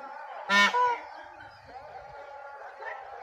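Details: Indian peafowl (Pavo cristatus), call.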